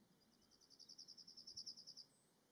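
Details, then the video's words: Yellowhammer singing at Martins Down on 27 June 2022, a windy day: a rapid run of about fifteen high, even chipping notes that swell slightly in loudness, ending in a brief thin higher note; background otherwise quiet. "yellow hammers at martins down 27/06/22.."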